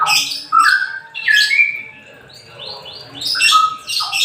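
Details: Straw-headed bulbul, semi ropel style song played to encourage lazy birds to sing: liquid, gurgling whistles mixed with harsher bright bursts, a softer higher trill mid-way, then loud phrases resume.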